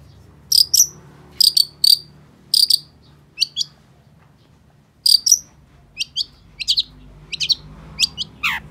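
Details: Long-tailed shrike song of clipped, scratchy double notes repeated several times, then thinner whistled and trilled notes, ending in a long downslurred whistle, over a low rumbling hum.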